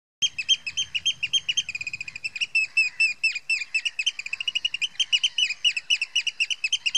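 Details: Eurasian oystercatcher giving its alarm call at Heybridge Basin, Essex: shrill, piping notes repeated rapidly, about four per second, in an unbroken excited stream, with faint low rumble early on.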